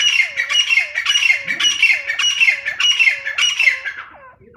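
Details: Female grey francolin calling: a fast series of harsh, squawking notes, about two per second, each ending in a low hooked tail, over faint background noise, fading out at the end.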